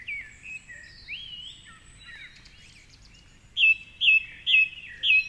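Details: Male song thrush at dawn, 4.45am on a Sunday by the Curragheen River in Cork City, singing from a treetop. He repeats one loud, ringing note four times at half-second gaps after soft, distant warbling from other birds.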